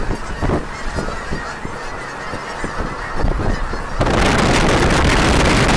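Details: Flock of Canada geese taking off from a cornfield; repeated honks mixed with wingbeats and rustling, rising into loud broadband noise of wings and wind after four seconds.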